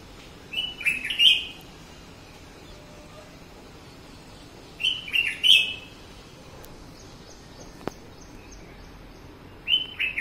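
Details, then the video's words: Red-whiskered bulbul singing on a balcony: short bright whistled phrases of a few warbled notes, repeated about every four to five seconds over steady low background hiss, with a single sharp click. "The beautiful Red Whiskered Bulbul in my balcony"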